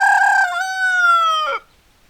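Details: Rooster crowing: a loud, rasping opening followed by a long, sustained, slightly falling crow lasting over a second. It ends sharply, leaving silence.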